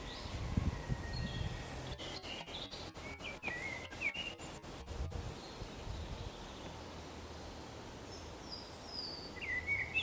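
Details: Common blackbird (Turdus merula) singing faint, fluty phrases ending in thin, squeaky twitters, recorded on the Camino de Santiago in Zamudio on 28 March 2019, over a steady rural rumble and a run of sharp clicks.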